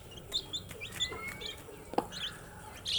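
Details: Baby chicks giving scattered thin, high peeps, a few drawn-out slightly rising whistles among them, with one loud tap near the middle and a brief louder burst at the end.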